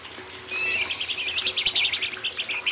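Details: Young wild-caught White-rumped shama are the target of this training song from an imported bird. A fast, scratchy chatter of tightly packed high notes runs on without pause over a faint wash of water.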